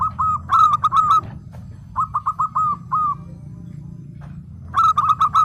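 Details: Actively singing local zebra dove gives three separate phrases of quick staccato coos, each a tight cluster of four to six bright notes, with quiet gaps between and a soft low hum underneath.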